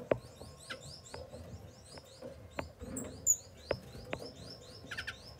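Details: Masked grass finches calling: many short, high, downward-slanting chirps repeated rapidly and overlapping, with occasional sharper high notes and scattered low clicks and knocks beneath.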